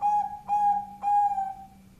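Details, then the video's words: Zebra dove, Bangkok type, kept as a lure, sounds three long, steady, pure notes at one pitch, each about half a second, linked by brief breaks. A faint low hum lies beneath. "pancingan perkutut bangkok suara power"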